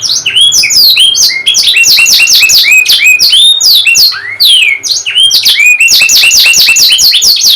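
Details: Canary in full song, played to rouse a stalled singer: a continuous, loud rush of fast sweeping and trilled notes with hardly a pause.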